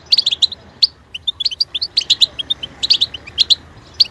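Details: Continuous goldfinch song of quick tinkling chips and twittered notes, evenly spaced several per second, high and clear throughout, with a faint low background rumble.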